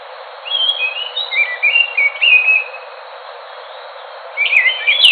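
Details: Enggano thrush giving a long, smooth run of sliding whistles that step gradually downward, then a pause before a brighter, busier phrase begins.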